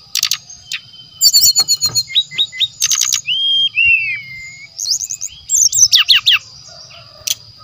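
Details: Lure recording of a brown-chested jungle flycatcher in song, mixing rapid high chips, drawn-out downward-sweeping whistles, quick descending note series and trilled bursts, with a constant high ringing tone in the background.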